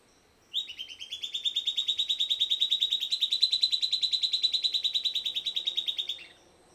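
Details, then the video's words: A silvered antbird, Sclateria naevia, delivers a rapid, steady trill of clipped high notes lasting about five and a half seconds, beginning slightly lower and then holding level before stopping abruptly; the surroundings are otherwise quiet. "Silvered Antbird Sclateria naevia Singing"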